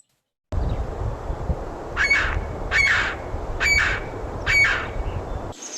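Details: Williamson's Sapsucker calling: four harsh, nasal, squealing notes spaced a little under a second apart, each with a thin whistled overtone, over a steady low background rumble.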